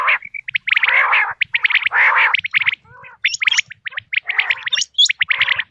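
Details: Quail sound used in hunting: short whistled notes and fast sharp chips interleaved with grating, throaty bursts, ending in a run of high clipped notes.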